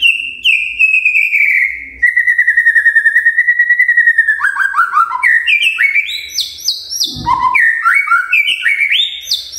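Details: Magpie-robin song for the morning, used to get quiet magpie-robins singing: a long wavering whistle, then a fast stuttering series and varied loud whistled phrases jumping between pitches.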